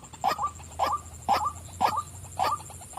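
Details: Calling female white-breasted waterhen giving loud, throaty double croaks roughly twice a second, each pair rising slightly, with a thin high-pitched background tone and soft low rumble.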